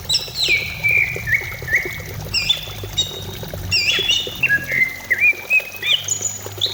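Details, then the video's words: Varied song of a greater green leafbird, used to stimulate singing: rich, fast liquid whistles with sharp downslurs, brief rising notes and some high thin tones, delivered almost continuously in loose phrases over a quiet low rumble. "Pancingan cucak ijo supaya cepat bunyi ,, Terapi cucak ijo anti stres"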